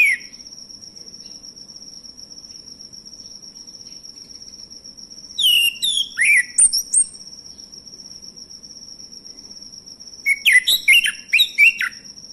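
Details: Male orange-headed thrush song used as a lure to get silent birds singing: two bursts of varied loud whistled and scratchy phrases, rising and falling, over a constant high insect-like whine and low background hum.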